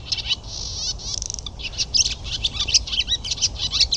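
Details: Barn Swallow song opening with a drawn-out buzzy rattle, then a rapid run of sharp, high chirps and liquid clicking notes.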